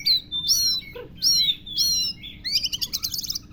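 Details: Kacer, or oriental magpie-robin, delivering lovebird-mimicking song: three loud slurred whistles about once per second, then a rapid buzzy trill of stacked chirps; quiet steady hum in background.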